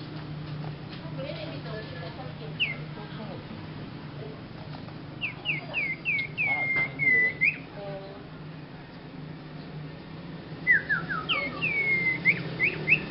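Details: Strange-sounding song of a young, beginner Sirpu: scattered bursts of short, downslurred, whistled notes, some in quick descending runs, with faint murmuring voices and a low hum behind.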